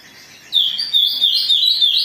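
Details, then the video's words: Excited Oriental magpie-robin (kacer) song for luring others to sing: a sudden burst of high, sharp whistled notes, rapidly repeated and warbling, loud and close with little else audible. "Pancingan Kacer Gacor || Suara Kacer Emosi"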